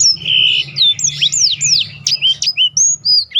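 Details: Black-throated canary song used as a training recording for contest birds, a rapid run of high whistled slurs and sweeps, rising and falling notes strung closely together with short gaps, a faint low hum beneath.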